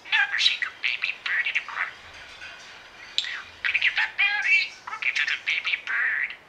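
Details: Captive budgerigar that mimics meows, woofs, snores, squawks and singing; busy chattering warble of chirps, squeaks and buzzy squawks, with a short pause midway before the rapid babbling resumes.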